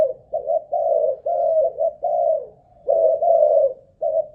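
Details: Spotted dove, Malaysian line, caged ground decoy tested for stamina, delivers a run of short and long mellow coos in close succession, with a brief pause midway, and no other noise.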